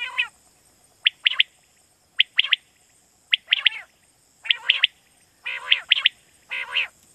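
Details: Quail call used in Pakistan to lure quail for night hunting: sharp high notes in quick clusters of two or three, alternating with lower, nasal, harmonic-rich calls, with a steady high hiss behind.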